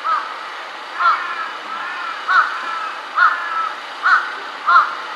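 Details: Large-billed crow perched on an electric wire, switching between different kinds of calls: six short, hoarse, mid-pitched caws spaced about a second apart, each a quick upward-then-downward inflection, over a steady background hiss.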